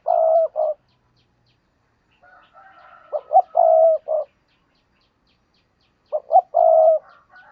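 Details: Spotted dove decoy, used to draw in wild doves, repeats its coo roughly every three seconds: short notes leading to a long even croon and a brief ending. A soft, higher warbling call sounds faintly between phrases.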